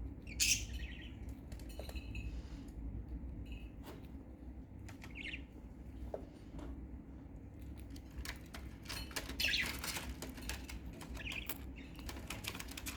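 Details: Budgerigars in their new, larger cage give brief, high chirps and chatter among clicks and rustles of wings and cage bars.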